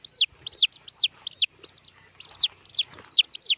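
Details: Young red junglefowl peeping insistently: high, thin notes that rise briefly then slide down, about two and a half per second, in two runs split by a short pause, with faint rustling.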